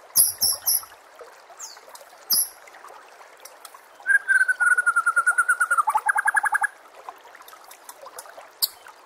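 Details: White-rumped shama tutor song for training contest birds: a few high sharp chips, then a fast, even run of about twenty rapid repeated notes that drops in pitch midway, followed by quiet.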